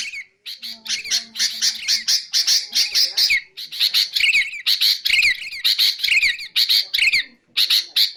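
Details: Sooty-headed bulbul, for luring and training birds: rapid raspy chatter, then repeated short whistled notes that dip and fall, in phrases about two per second.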